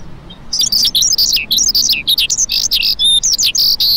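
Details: A lark breaks into rapid, high-pitched twittering after a brief quiet start, mixing short chirps, downward slurs and thin whistled notes in a busy run.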